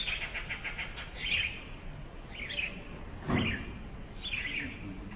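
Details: An adult Eurasian tree sparrow feeding nestlings in a nest in a hole in a brick house gives bright, chirpy notes: a quick run of chirps, then short bursts about every second, with a soft thump and low background rumble.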